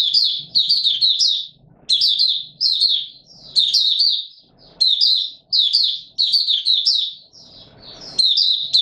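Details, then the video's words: White-eye (Mata Puteh Raja) singing in warm humid weather, 20 March 2022: bursts of rapid, high, twittering warbled notes in phrases about a second long, separated by short pauses, with faint low rustling between. "Mata Puteh Raja Video 1 buka sing warm humid weather"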